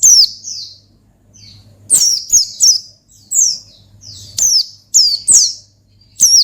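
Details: Oriental white-eye (pleci) in gacor ngalas style for provoking a rival: high, slurred, falling chirps, some doubled, in irregular bursts with short gaps and a low electrical hum.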